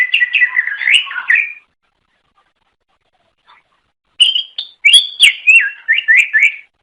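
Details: Melodious song of a greater green leafbird (cucak ijo) from Indonesia, used to lure other cucak ijo: a quick warbled phrase, over two seconds of silence, then loud sharp notes and repeated rolling whistles.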